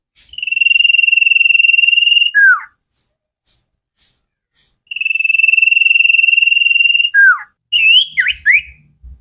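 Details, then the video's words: Common iora in a cage-bird training recording, singing energetically: two long, level, trilled whistles, each ending in a falling slur, followed by a burst of short, varied chirping notes. "Burung cipow sirtu masteran Gacorrr banget"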